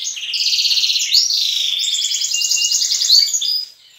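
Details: Dawn song from a breeding room where juvenile and adult canaries sing as one: continuous layered rolling trills, bright and high, shifting pitch midway, then fading out at the end.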